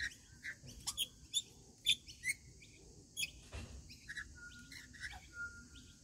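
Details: At a routine feeding, rainbow lorikeets make quick sharp chirps and brief squeaky notes in an irregular scatter. A steady mid-pitched tone is held for about a second near the end.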